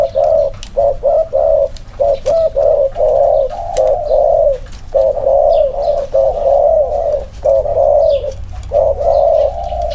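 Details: Two male spotted doves placed side by side for a cooing comparison, recorded close up; low hollow coos in a steady run of short bursts of two or three notes with brief gaps, continuing for ten seconds with a faint background hum.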